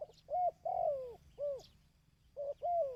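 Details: Dove cooing, used for training decoy birds: phrases of a short low note followed by a longer, bending coo that slides downward, repeated twice with a brief gap, against faint background hiss.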